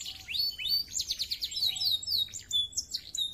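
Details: Canary in lively, clear-voiced song, mixing fast rolling trills, sharp down-slurred whistles and high sweeping notes in quick succession, with a few drawn-out tones near the end.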